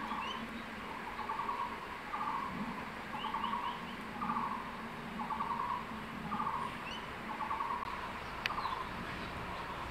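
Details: Male crested goshawk at its nest in secondary forest, holding a freshly caught tree lizard and calling his incubating mate to come eat: short rapid chattering bursts repeated about once a second over a steady low hum, with faint high chirps of other birds.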